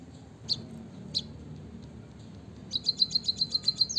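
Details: Munia, recorded as a lure to prompt reluctant munias into singing: two isolated high chirps, then a quick run of about ten sharp, evenly spaced high notes closing with a downward slur.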